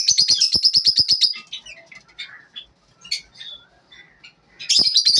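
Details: Lovebirds in the morning giving a fast run of sharp, repeated high chirps, then softer scattered squeaks and twitters, ending with a renewed burst of shrill chatter.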